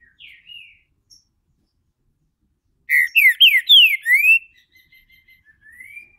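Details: Green-winged saltator, a caged bird from a licensed Brazilian breeder, opening its song: soft scattered whistles, a pause, then five strong slurred whistled notes falling and rising, trailing into quiet short notes and a soft rising whistle.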